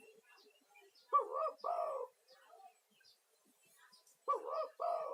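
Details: Lively male spotted dove lure call, used to summon other doves and soothe stressed caged birds: two paired, throaty coo phrases about three seconds apart, each a short note followed by a longer one, in a quiet setting.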